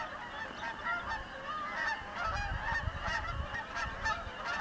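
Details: A flock of Canada geese passing over a house gives a steady chorus of overlapping nasal honks, with a low rumble of wind or distant traffic underneath.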